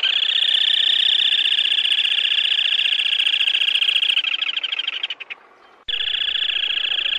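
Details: Black-tailed crake calling with a sustained, rapid, buzzy trill that holds steady, fades out briefly after about five seconds, then breaks back in at full strength.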